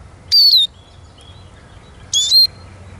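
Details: Eurasian siskin giving two clear, high whistled notes about one and a half seconds apart, the first sliding down steadily and the second rising then falling.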